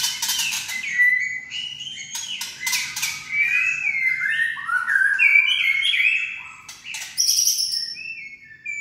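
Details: White-rumped shama kretekan, used to excite other shamas into singing: opening bursts of dry clicking rattles, then a long run of varied sliding whistles and chattering notes, with more clicks near the end.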